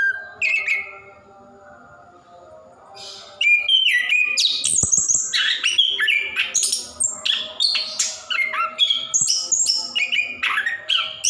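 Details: Orange-headed thrush of the plontang type singing gacor ngerol style, a long-running song used to prompt caged birds that sing little; brief whistled phrase, a two-second pause, then a dense, rapid stream of varied high chirps, trills and whistles.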